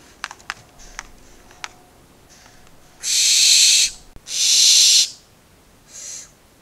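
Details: Four young barn owlets, 2 September 2019, give long, harsh, breathy begging hisses, each about a second long, repeated with short pauses, after a few faint clicks; a parent is possibly on the camera.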